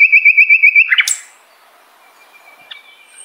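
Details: Common nightingale phrase from a master recording for shamas: a fast series of identical clear whistled notes about eight times a second ends in a sharp flourish, followed by near silence and a faint thin whistle.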